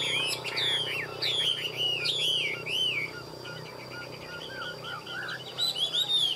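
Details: At midday a caged hwamei sings strongly, tumbling whistled phrases, then softer rapid warbled twittering before louder ringing notes return at the end.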